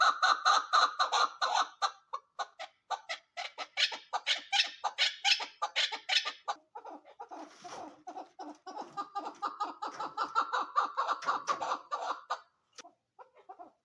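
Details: A female chukar partridge calling in rapid, harsh clucking bursts, a steady chattering run that pauses briefly midway, then resumes and trails off.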